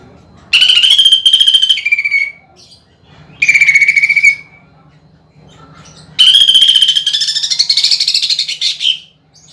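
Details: Greater green leafbird song used to provoke contest birds, with rough rolled bursts. It gives three fast buzzy trills, the first and last long and rolling, the middle one shorter and dropping in pitch. Quiet pauses separate them.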